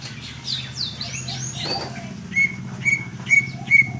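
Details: Greater green leafbird singing: a run of varied high whistled sweeps and chirps, then four short bright notes repeated about every half second, over a steady low mechanical hum.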